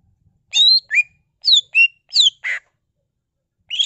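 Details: Gacor greater green leafbird delivering varied imitated phrases: high whistled slurs, some rising and some falling, mixed with a harsher buzzy note, in quick succession, then a pause.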